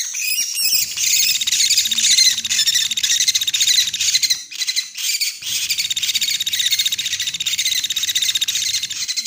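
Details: Lure recording of Sunda pygmy woodpecker used to draw birds in for trapping, with continuous shrill, buzzy chattering and a short pause midway before the rattling resumes.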